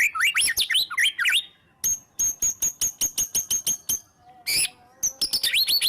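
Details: White-rumped shama in energetic, nonstop song used as a lure to make other shamas sing: varied whistled phrases, then a long run of sharp, evenly spaced piercing notes like shots, with another warbling burst after a brief pause.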